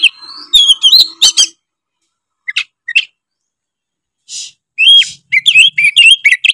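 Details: Oriental magpie-robin gacor ngeplong song said to provoke rival magpie-robins: quick whistled notes, a pause with a few scattered chirps, then a fast run of slurred whistles and twitters.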